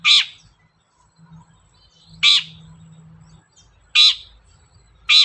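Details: Long-tailed shrike voice meant as a lure to make shrikes sing. Harsh, rasping notes at irregular gaps of one to two seconds, four in total, with a low droning hum.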